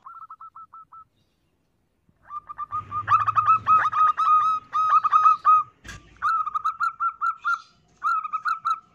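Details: Female zebra dove lure call: a soft quick run of short coos, a gap, then loud bursts of rapid stuttering notes with an abrupt click midway, continuing in steady repeated coo runs.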